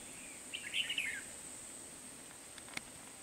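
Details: Red-whiskered bulbul decoy singing during bird trapping at Kim Bôi, Hòa Bình, on 17 December 2020: one quick, liquid, warbled phrase lasting under a second, rising then falling. A steady high insect hiss and a few faint clicks are heard.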